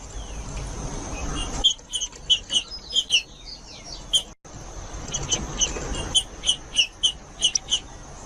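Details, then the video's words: Green-winged saltator song used to stir up other saltators and to train chicks: two runs of crisp, high, evenly spaced notes with a short pause between them, against constant low hiss. "ESQUENTAR TRINCA FERRO COM TRINCA FERRO CANTANDO"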